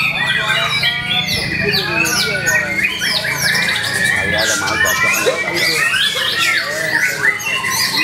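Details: White-rumped shama after its first moult, singing at the Suara Agung Cup songbird contest where it took first place; varied whistled and chattering phrases, rapid sweeping notes, with crowd speech and several other contest birds audible.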